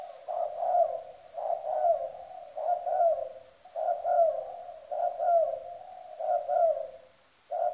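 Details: Spotted dove kept as a decoy, giving a firm coo: loud, low, hollow coo phrases of several notes each, repeated about once a second with brief pauses between.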